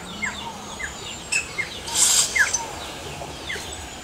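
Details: Yellow-rumped cacique singing in the wild: scattered short downslurred whistles, a loud harsh broadband burst near the middle, and faint high squeaky notes over steady background hiss.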